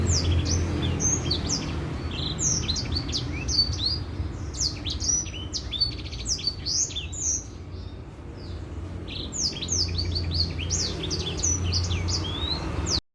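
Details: Long white-rumped seedeater song used to prompt other birds to sing: quick chirps and sweeping whistles in a dense run, a brief lull near the middle, then resuming, with constant low hum.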